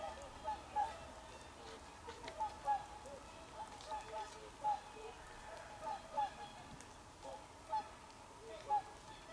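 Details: Swans on 24 December 2020, giving short nasal honking calls in scattered single and paired notes across the clip, over a steady low rumbling background.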